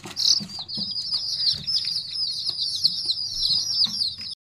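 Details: Many small chicken chicks cheeping nonstop, their shrill overlapping peeps merging into a steady high-pitched wash, with faint scratching and light knocks in the background.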